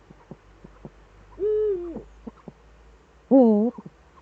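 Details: Eurasian eagle-owls in the Eifel, 11 March 2013 at 18:47, with both owls back: two drawn-out harmonic calls, the first level then sliding down, the second wavering. Faint clicks and knocks in between.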